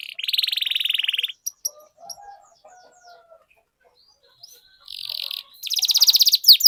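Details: Canary rolling song meant to get other canaries singing: a buzzy trill of about a second, scattered chips and faint lower whistles during a quiet gap, then renewed fast rattling rolls.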